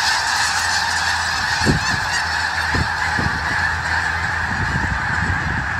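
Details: Wintering flock of snow geese on farmland in the Skagit Valley near Conway, Washington, birds that breed on Wrangel Island, Russia; a dense, continuous chorus of overlapping honks and yelps from many geese.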